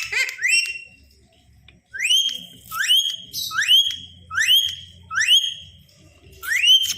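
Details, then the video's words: Tame pet Indian ringneck parakeet indoors gives a run of six loud rising whistled notes, each sweeping up and levelling off, spaced about every second, with a short pause near the start and faint room hum beneath. "green parrot talking"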